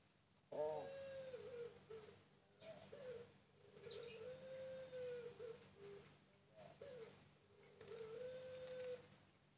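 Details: Captive Barbary dove of the puter pelung type from a bird farm, cooing repeatedly: each call opens with a short rough note, then stretches into a long, even tone, roughly every three seconds, with faint chirps behind.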